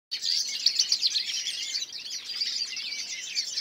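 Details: European goldfinch song recorded in 2014: a continuous, rapid, liquid twittering of high tinkling notes and short trills, tumbling on without pause.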